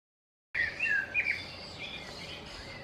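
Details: Common starlings at a nest in a garden, the parents returning every few minutes with food for the young and carrying away droppings; after a silent start, short squeaky chirps and slurred whistles, then a fainter hissing rustle.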